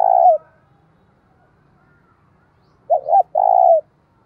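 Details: Decoy spotted dove cooing to goad rival doves into fighting; the tail of one coo phrase, a pause, then a full phrase of two short notes and a long level coo.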